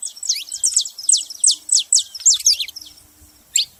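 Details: Saffron finch calling: a quick chain of loud, sharp chirps dropping steeply in pitch, about three per second, fading out, then one last isolated chirp.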